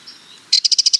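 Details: Sardinian warbler giving a short, fast, dry rattle of about seven hard, evenly spaced high notes in half a second, after a brief faint high note; otherwise quiet.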